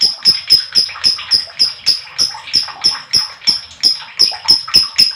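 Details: Lovebird in the long trilling 'ngekek panjang' style, meant as a prompt to set other lovebirds singing: shrill high notes repeated steadily about four times a second throughout, with sharp clicks beneath each note.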